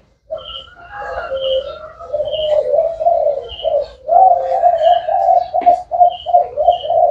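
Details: Cu gáy (spotted dove), thái hậu style, delivering a continuous run of soft, low hooting coos with slight rises and falls, accompanied by regular high chirps from other birds nearby.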